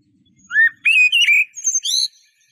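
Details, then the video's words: A Eurasian blackbird phrase of rising fluty whistles that breaks into a high, squeaky twitter at the end. Faint low rustling is heard at the start. "تغريد طائر شحرور (جحمومية)Merle noir"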